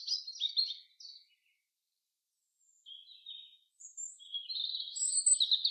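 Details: Common chaffinch singing in the forest: a loud, fast, trilled phrase, a quiet gap, then scattered high notes building into a long, bright, rolling flourish.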